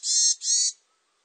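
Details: Varied tit giving two harsh, buzzy, nasal notes in quick succession, each about a third of a second long, followed by silence.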